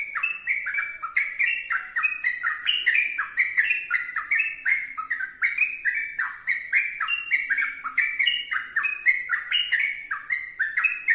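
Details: Long, energetic sooty-headed bulbul song: steady, rapid sequences of warbled whistles, each dipping and climbing, repeated without pause against a quiet background.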